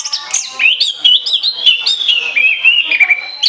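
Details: Continuous 'ngoceh ngeplong' song of an Orange-headed thrush, meant as a lure: a flowing chain of clear, wavering whistles and quick slurred phrases with a few sharp ticks.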